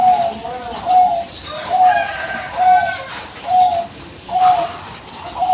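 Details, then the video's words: Lure recording of a Bangkok zebra dove calling without pause to provoke other doves: clipped, level coos about once a second, with higher chirps from other birds in between. "PANCINGAN PERKUTUT BANGKOK GACOR BALES TERUS TANPA JEDA"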